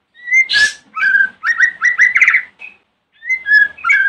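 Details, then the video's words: White-rumped shama in the morning, singing as a lure for other shamas: a harsh noisy burst among repeated whistled phrases, then a pause and a fresh string of clear whistles. "Pancingan murai Batu Pagi hari | bikin murai manapun langsung nyahut"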